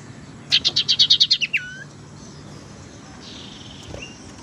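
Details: Tailorbird (sirtu teras) lure recording for trapping and for prompting a caged bird that has stopped singing: a fast burst of eight sharp, evenly spaced chipping notes, then a sliding downward whistle and a faint later note.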